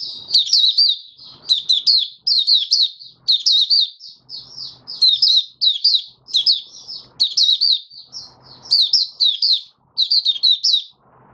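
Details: Oriental white-eye kept caged, singing openly on the fifth day after monthly deworming, January 2022: repeated quick, high, jingling phrases roughly every second, with faint knocks and rumble in the background.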